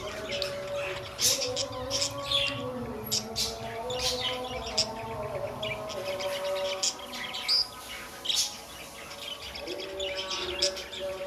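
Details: Chirping pet budgies, a lively stream of short piercing tweets and warbled notes in uneven bursts, set against sustained instrumental music in the background.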